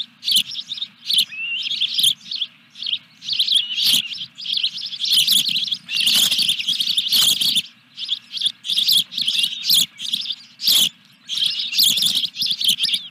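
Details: Osprey calling at the nest as a fish is delivered, Dunrovin Ranch, 14 July 2021: loud, urgent bursts of high piercing chirps run together into long excited strings, with brief pauses and a constant low background hum.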